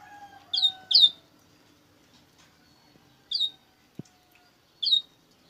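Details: Double-collared seedeater giving its coleiro bruto song: widely spaced, clear, high downslurred chirps, two close together then single notes every second and a half, over quiet room tone with one dull knock.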